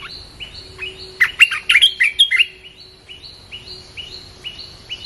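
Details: Red-whiskered bulbul song, played to lure wild birds: a steady run of short rising chirps, about three a second, broken midway by a loud burst of varied, tumbling warbled phrases, then more chirps over a faint low hum.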